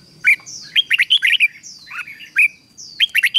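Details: Red-whiskered bulbul singing a strained training song with 'ché' chatter: slurred whistles gliding downward, then rapid choppy warbled notes repeated in short groups, over a thin constant high tone.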